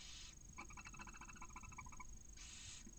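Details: Barn owls in a nest in Cabañeros National Park, Spain, while the male brings a mouse and the female tends a newly hatched chick; a fast, buzzy, stuttering chitter lasting over a second sits between two hissing bursts.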